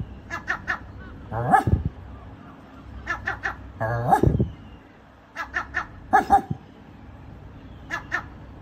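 A gull gives three loud, hoarse, barking yelps about two seconds apart, with short clipped chattering notes between them, like a dog barking.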